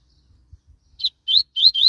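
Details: Short burst from a Double-collared seedeater described as quick and spirited: three or four clear, high whistled notes, each swelling and sliding slightly upward, with soft low clicks before them.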